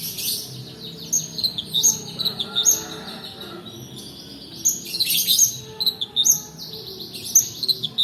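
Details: Long-tailed shrike song in roll style, intended to coax lazy shrikes and tutor other birds: bright, sharp whistled notes repeated in quick bursts, with brief softer gaps between phrases.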